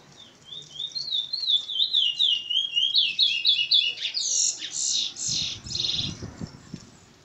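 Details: Curió in Maiobão, Maranhão, singing its continuous song: quick chains of whistled, wavering notes that grow louder and end in a burst of buzzier, fuller phrases, with some low knocking near the close.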